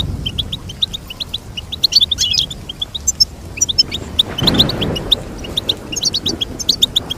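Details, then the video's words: High, liquid goldfinch chirps delivered in fast series with tinkling flourishes, a brief low rushing noise partway through. "Teach your goldfinch to sing beautiful motivational songs"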